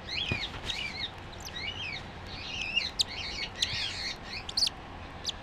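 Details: Three-day-old cockatiel chick, hatched on 5 July 2013 and described as very lively: thin, high, rising and falling peeping calls repeated in quick series over steady background hiss, with a few clicks.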